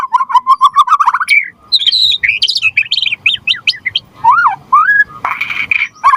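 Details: Gacor white-rumped shama (murai batu) song, used as a lure and master song to make other shamas answer: a run of rising whistled notes, then fast varied warbles, swooping whistles and a buzzy trill.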